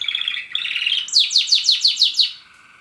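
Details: A pet Border canary sings indoors, where a second canary, a German Roller, is also kept. A bright warbled phrase opens, then a run of seven rapid, high, descending sweeps, each about a sixth of a second apart.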